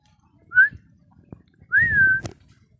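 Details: Talking pet parrot giving two clear whistled notes, the first short and the second longer, rising then leveling off, with light handling noise between; a person prompts it in Bengali.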